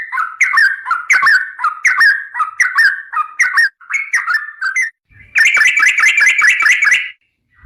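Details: Sooty-headed bulbul (trucukan garuda) singing energetically in the long rapid 'ropel panjang' style used as a tutor recording: short bubbly whistled phrases, rising and falling, repeated about once a second, ending in a fast run of clear notes.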